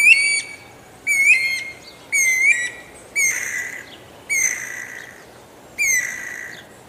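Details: Guira cuckoo uttering a series of six loud, rasping whistled notes about one per second, early ones wavering and later ones longer and hoarser, falling in pitch.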